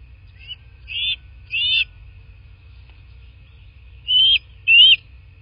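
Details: Bald Eagle at its nest in southwest Florida, caught by a nest camera on 29 February 2024 at mid-morning: four high, squeaky chirps in two pairs, each slightly rising, over a faint steady tone and low rumble.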